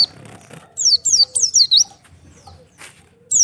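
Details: Oriental white-eye separated from its flock: a few clear, high descending chirps in a short cluster over a quieter background, with another chirp starting at the end.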